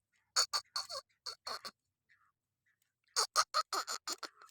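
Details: Black francolin calling: two bursts of harsh, rapid, grating notes, about six in each, separated by a silent pause of roughly a second and a half.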